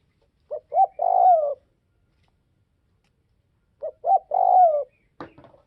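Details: Spotted dove from northwest Vietnam calls two low coo phrases, short-short-long with the final note sliding down. A sharp click follows the second phrase.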